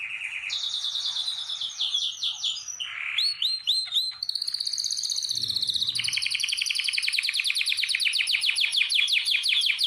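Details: Canary singing in a breeding room where birds are being prepared and paired for mating; varied song of sweeping whistled notes and buzzy rolls, shifting into a long, fast, evenly pulsed trill over the final four seconds.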